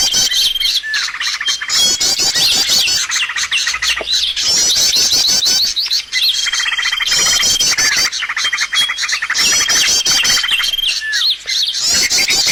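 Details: Bird-luring recording used in trapping: a crowded wash of high chirps, trills and squeaks. Long level whistles recur through it, with brief lulls every few seconds.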